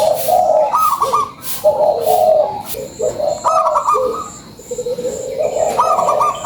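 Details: Lure song of a local zebra dove: soft rolling coos climbing to a higher trilled note, repeated about every two seconds, with constant high faint chirping behind.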